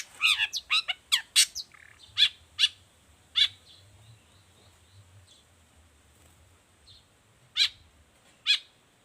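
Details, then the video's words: Long-tailed shrike giving a quick burst of sharp, high chirps followed by widely spaced single piercing notes, with a faint low hum in the background. "Cendet gacor cocok buat masteran juga pancingan cendet lainnya"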